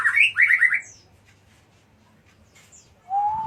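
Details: White-rumped shama (murai batu) from Jatiuwung. A quick burst of squawky, warbled notes repeats three times in under a second, then a near-silent pause, then a steady, slightly rising whistle at the end, over faint low hum.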